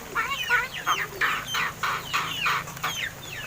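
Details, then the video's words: Captive crested mynas, seven months old and kept since young, newly able to talk: rapid scratchy syllables and wavering whistled sweeps in uneven bursts roughly every third of a second, with a steady low hum beneath. "MARTINEZ BIRD TALKING!"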